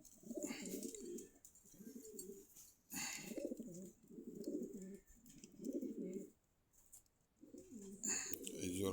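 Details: Domestic pigeons for sale at Meradia market in Khilgaon, Dhaka, giving low throaty rolling coos in bursts of about a second, repeated steadily with short pauses, with soft clatter and hiss in the background.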